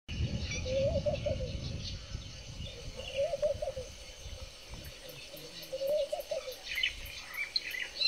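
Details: Verreux's eagle-owl giving three separate bursts of low, rapid pulsed grunting notes, each lasting about a second, over rumbling background noise with faint high chirps from other birds.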